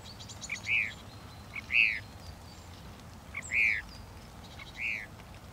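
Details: Northern mockingbird giving slow, separate arched whistled notes, each a rising-then-falling slur, four of them spaced about a second apart.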